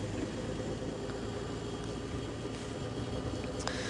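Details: Steady engine rumble and broad hiss from a safari drive at sunrise, with no animal sound heard.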